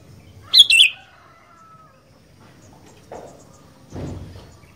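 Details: A sooty-headed bulbul, known locally as kutilang and said to sing in fighter style, gives two loud, sharp notes close together, followed by a faint long tone and a few soft thuds or rustles.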